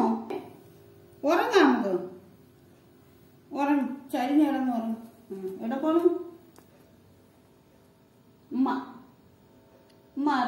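A rose-ringed parakeet talks in short, clear, voice-like phrases, roughly every two seconds, mid-pitched and slightly nasal, in a quiet room.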